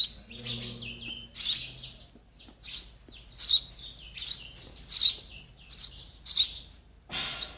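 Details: Sparrow nestlings waiting for their mother and father to feed them: a series of high, sharp chirps repeated roughly every half to one second. A faint low hum is heard at the start.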